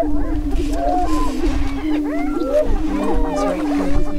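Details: Greater prairie-chickens on a spring lek in northwest Minnesota near Crookston, April 27, 2013, during the annual mating dance: a steady low hooting boom drones throughout, overlaid by many rising and falling whooping cackles and squeals from several birds.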